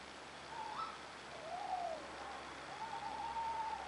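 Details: Male and female Eurasian tawny owls calling in France in April 2012: a short rising hoot, a brief slurred note, then a long wavering, quavering hoot over steady background hiss.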